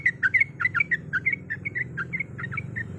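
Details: Female yellow-vented bulbul calling a male while in breeding condition: lively stream of short warbled chirps, bunched at first and then evenly spaced, with a low background hum.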